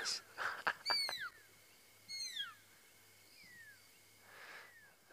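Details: Pearl-spotted Owlet at sunset on 26 March 2017, Djuma Game Reserve. It gives clear, high, down-slurred whistles, about four notes a second apart, after a brief rustle. One or two birds call to each other, territorially or to attract a mate.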